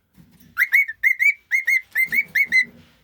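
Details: A young male cockatiel, which also talks, sings a series of clear, rising whistled notes near two kilohertz, repeated rapidly.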